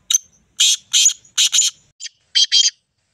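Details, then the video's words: Black francolin, known locally as black or kala teetar, calling loudly: harsh, grating bursts in quick clusters of two or three, with a few short gaps, against near silence. "black teetar ki awaz kala teetar ki awaz sindhi teetar ki awaz"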